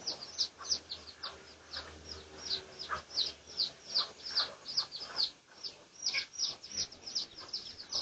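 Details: Red junglefowl of the Pradu colour type, recorded for research on 18 August 2023; high, thin peeping notes sliding downward, repeated quickly and unevenly, about two or three per second, with a low hum beneath.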